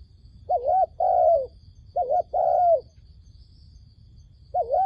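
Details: Trap decoy dove calling to attract wild doves: clear mid-pitched coos in pairs, a brief warbled note then a drawn-out falling one, repeated about every second and a half over low ambient hum.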